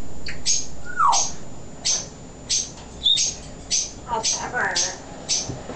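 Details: Pet male African grey parrot during a talking session, giving a run of short sharp clicks and chirps about twice a second, with one falling whistle early on and a brief high squeak midway.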